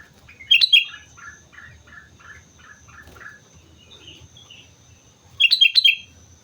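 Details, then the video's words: Sooty-headed bulbul in lively song on Mount Slamet: two loud, rich bubbling whistle bursts at the start and end, separated by a run of short, evenly repeated lower notes and a faint continuous high-pitched whine. "suara burung kutilang gacor gunung slamet"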